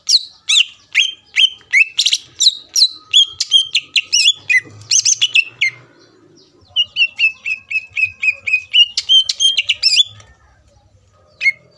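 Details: Greater green leafbird song meant to excite rival leafbirds into singing: rapid harsh chattering phrases, then a long series of quick repeated whistled chips, a short pause, and a final note.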